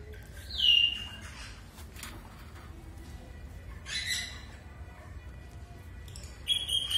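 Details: A caged rosella gives a sharp, high whistled note that slides downward, then some softer chatter and a final bright, ringing whistle, with faint background hiss throughout.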